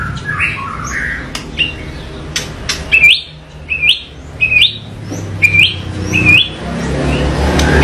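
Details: A white-rumped shama sings with rough variation: chattery notes, then a series of short rising whistled slurs repeated roughly every second, set against steady background noise and hum.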